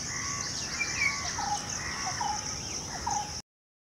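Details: Fluty whistled song of a golden oriole (Sone Ki Chidiya) in the breeding season, with short mellow notes repeated about every half second beneath a constant high-pitched background drone.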